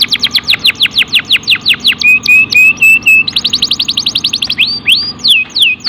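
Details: Caged canary song used to coax other canaries into singing. Quick downslurred chips come first, then a thin rising whistled trill and a dense rattling run, with a few looping whistled notes at the end.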